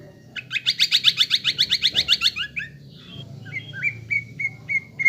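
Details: Greater green leafbird in a cage, lure song to provoke fighting spirit: a rapid rattling burst of buzzy trilled notes, followed by a string of bright upslurred whistles repeated several times per second.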